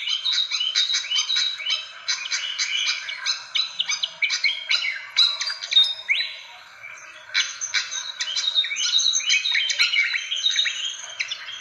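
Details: Lure recording of fantail calls used to draw in birds: long runs of dense, scratchy chirps and sharp squeaky notes, a short quieter stretch in the middle, then renewed rapid chattering.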